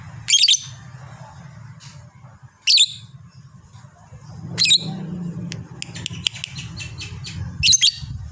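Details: Fighter lovebird calling with widely spaced shrill high squeaks, a few soft clicks in between, and a steady low hum through most of the recording.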